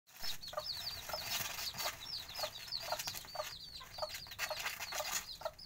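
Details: Bantam chicks peeping constantly, a dense chorus of high, thin, arched cheeps overlapping throughout, with short lower clucking notes at intervals underneath.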